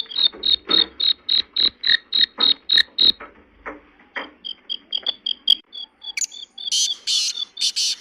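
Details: Black francolin (kala teetar) call used to attract and excite francolins: bursts of harsh, rapidly repeated high notes, several per second, with a brief pause midway and sharper, louder notes near the end.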